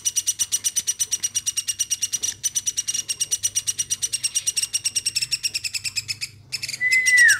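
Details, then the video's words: Woodpecker raised by hand since it was young, calling steadily indoors with quick harsh notes around three each second, a short pause near the end, then a descending whistle. "LUAR BIASA AMOY BURUNG PLATUK GACORNYA SAMPAI 5 MENIT"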